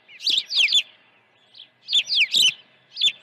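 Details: Osprey at a ranch nest, early morning feeding on 1 June 2019: two dense clusters of shrill overlapping downslurred whistles, separated by a brief pause, ending with a single chirp.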